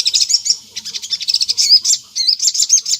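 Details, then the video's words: Sunbird song, lively and persistent, played as a lure to make other sunbirds answer; dense high-pitched chattering of rapid ticking notes mixed with short slurred whistles, with a brief pause before the chatter resumes. "PANCINGAN SOGON GACOR NGLEPER || di jamin burung sogon nyaut"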